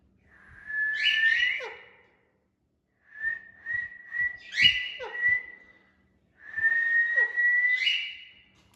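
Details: Indian ringneck parakeet, a caged talking pet, repeats a phrase three times: a steady whistle that jumps upward and breaks into quick squeaky descending notes. Faint low clicks and rustling sit underneath.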